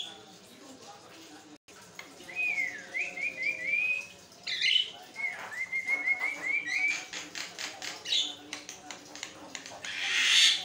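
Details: Javan myna singing nonstop as a tutor for other mynas: long wavering whistled phrases, rapid clicking rattles, and a harsh grating squeal to finish.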